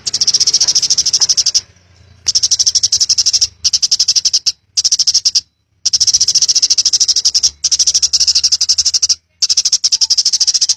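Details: Wild 'ngalas' song of a house sparrow, for training birds: repeated bursts of quick, high chirps in tight pulses, separated by several short silences.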